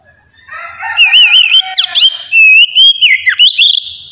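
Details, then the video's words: Oriental magpie-robin singing in the loud, relaxed ngeplong style, used to stimulate untrained magpie-robins to sing. Near-silence opens, then from one second loud wavering whistles run into rapid, varied, sweeping phrases that continue to the end. "kacer ngeplong santai ampuh merangsang kacer bahan agar cepat bunyi"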